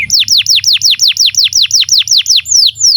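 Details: Canary in full song, meant as a model for young canaries to learn from: evenly spaced, loud downward-sweeping whistles repeated about every quarter second, ending in softer slurred notes.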